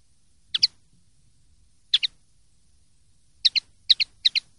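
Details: Common linnet in clean song style, 2023/2024: crisp paired chips, two spaced out, then three in quick succession near the end, each a brief bright double note against a quiet background.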